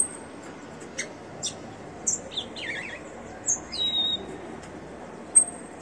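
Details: Caged, leg-ringed rufous-collared sparrow singing a little: scattered high whistled notes and short slurred phrases with sharp clicks, over a steady low background hiss.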